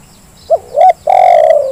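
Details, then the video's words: Lure recording of a spotted dove meant to prompt reluctant birds to call: a soft upturned note, a stronger hooked note, then a sustained even coo lasting over half a second. Steady background hiss. "Suara pancingan terkukur yang malas jadi bunyi"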